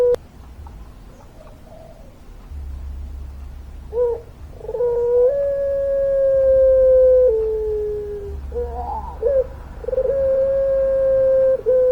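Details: After a quiet start, a puter pelung dove, a long-voiced singer, rises into a sustained coo of about two seconds that falls at the end, then a trill and another level note.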